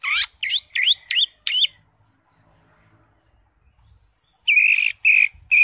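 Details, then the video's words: Crest-raised greater green leafbird singing in full isian style for masteran: five sharp, swooping whistled notes, a silent gap, then three longer ringing whistles with a slight buzz. "CUCAK HIJAU (ijo) NGENTROK JAMBUL GACOR FULL ISIAN"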